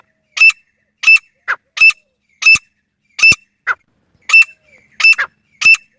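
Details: Grey francolin call, presented for hunting: sharp, ringing notes repeated about every second in a steady series. Softer, lower notes are interspersed between them.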